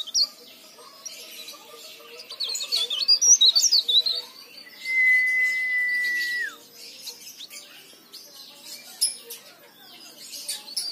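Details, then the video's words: Leaf warbler singing vigorously, a recording used as a lure to get silent leaf warblers singing: high, thin, rapid warbled twitters in a burst, then a long steady whistle-like tone that drops at its end, with quiet between. "burung cikrak daun gacor istimewa"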